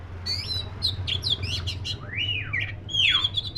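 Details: Black-breasted oriental magpie-robin pouring out quick whistles, then rising-and-falling slurred whistles and a deep downward-sweeping note at the end, with a steady low hum behind.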